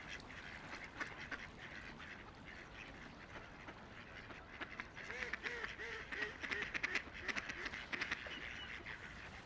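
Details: On a quiet river, ducks floating, splashing and playing give a rapid run of short, nasal quacks that builds through the second half. Each quack falls slightly in pitch, over constant river ambience.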